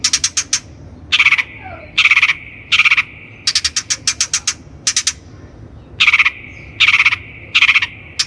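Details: Lure recording of a long-tailed shrike (cendet) for training birds: quick runs of sharp ticks interleaved with loud rasping, buzzy bursts that repeat steadily, with a low sustained tone joining them.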